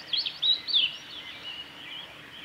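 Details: Song of a male blue-and-white flycatcher, Kanazawa forest road by Lake Miyagase, recorded 7 May 2020: a loud opening phrase of sweet, slurred whistles, followed by softer, more distant high warbling and faint background hiss.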